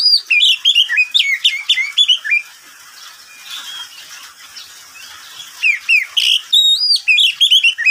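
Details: Midday song from a caged oriental magpie-robin kept as a pet: fast strings of sharp whistled notes and downward slurs delivered in quick succession, falling silent for about three seconds before another lively, high whistled phrase.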